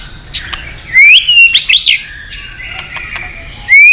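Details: Singing white-rumped shama, practised for song contests: loud clear rising whistles and quick looping notes, with sharp ticks and a steady high tone in the background.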